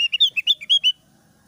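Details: Thick-browed Javan grey-throated white-eye song, clear and loud with chattering, meant to lure other birds into singing: a burst of about eight quick, sharp chirps in under a second, then quiet.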